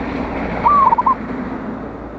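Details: Local perkutut, the zebra dove, singing loudly to call out rivals: one clear cooing phrase, a sustained note then three quick pulsed notes, against steady noisy background.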